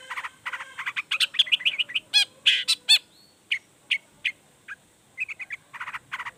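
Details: Long-tailed shrike in emotional song aimed at making other shrikes sing: a busy stream of chattering chirps and harsh rattles, then spaced short notes and renewed chatter.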